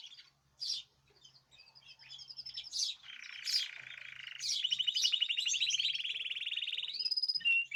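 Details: Several caged birds in chorus, March 2026: scattered sharp chirps, then a sustained rattling trill and a fast ticking series ending on a clear high whistle, with a faint low hum beneath.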